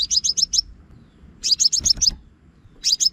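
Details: Scarlet-backed flowerpecker lure sound for loudspeaker trapping, Vietnam: quick series of piercing high ticks in bursts, one burst joined by a few lower thuds, pauses of about a second between bursts.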